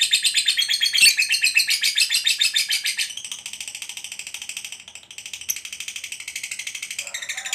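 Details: Long 'ngekek panjang' trill from a lively fighter lovebird: dense, piercing rapid chatter, loudest for the first three seconds, then continuing slightly softer and steady until it breaks off at the end.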